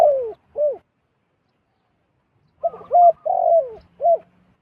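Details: Zebra dove, wild, drawn down to a decoy bird, repeating short arched coos and a longer purring trilled phrase after a pause, a faint low hum beneath.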